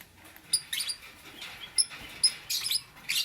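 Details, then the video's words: Lovebird in the morning uttering thin, piercing high squeaks and short scratchy chirps, spaced irregularly with short silences between. "Lovebird - Beautiful Colors - Chirping Sounds"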